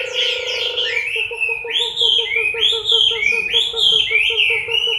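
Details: Chinese hwamei singing during its October 2015 moult: strong rising whistles, each dropping away into a slur, repeated roughly every second. A soft low trill opens the passage and a rapid pulsing continues beneath.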